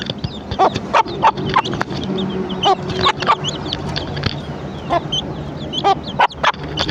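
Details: Hen clucking to call her chicks to breakfast; short broadband clucks repeated irregularly, several in quick succession, with high chirping of chicks running through and a low steady background hum.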